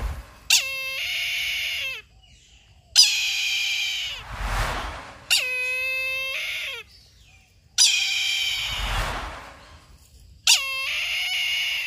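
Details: Brahminy kite giving five loud, drawn-out mewing calls, each about one and a half seconds long with rich harmonics and a drooping tail. The calls are spaced a few seconds apart, with breathy noise bursts in between.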